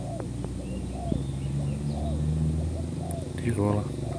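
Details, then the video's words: Spotted dove, a new bird, cooing as a lure for trapping: several soft falling coos in sequence, then a human voice breaks in near the end. "pikat terkukur burung baru"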